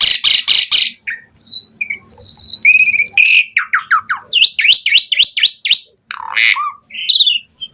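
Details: Asian pied starling song, a lure to draw starling replies: harsh buzzy pulses, then varied whistles and a run of quick upslurred chirps, ending with a squawk.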